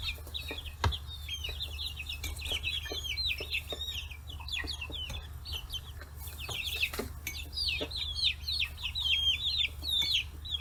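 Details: Free-range chicks, 40 days old, crowding around fish heads on a small farm in Kitahiroshima, Hiroshima: a dense chorus of high, quick peeping chirps from many birds, with pecking taps and a low rumble.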